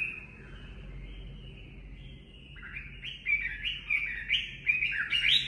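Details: Chinese hwamei in natural 'mộc' style song, used to train caged birds' voices; a faint, low hum in the first half, then loud rising and falling whistled phrases from about the third second.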